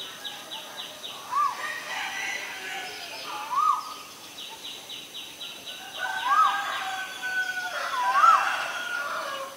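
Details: Male Asian koel giving four separate rising whistled notes, roughly two seconds apart. A quick series of high, descending chirps from another bird sounds between them over steady background hiss.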